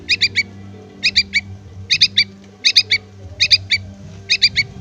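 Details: Yellow-vented bulbul chick calling to its parent, giving rapid bursts of three shrill, high notes almost every second, seven bursts in all, over low droning tones in the background.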